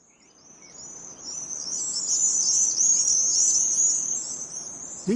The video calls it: These screeching gangs of tear away swifts dashing through the skies are a sure sign that spring is well underway.